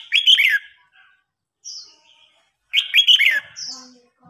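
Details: Red-whiskered bulbul singing in a contest where an old wild bird provokes a young one: two short, loud, bubbling warbled phrases separated by a quiet gap with a faint high note.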